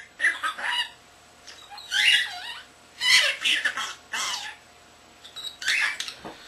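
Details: Pet common starling talking, whistling and copying other birds; several separate scratchy, warbled phrases with speech-like rhythm, pausing between each, recorded close indoors.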